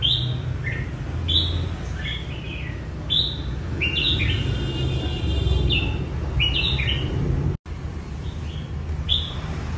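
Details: Red-whiskered bulbul in training for a singing contest, delivering a string of clear chirpy, slurred whistled phrases in rapid succession. A constant low hum runs beneath, with a brief dropout near the end.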